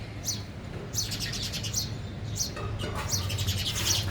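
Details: Sparrows eating at a feeder in Gujarat: bursts of sharp high chirps in irregular clusters, several birds overlapping, over a steady low hum.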